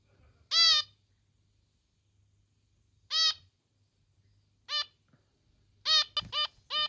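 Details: Pet female zebra finch giving her nonstop little 'meep' calls: short nasal harmonic notes, singly and then in a quick cluster of four near the end, separated by gaps of one to two seconds, with a faint low hum behind.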